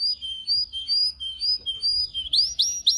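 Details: Canary training song: repeated drawn-out whistles ending in a few sharp, rising upswept notes.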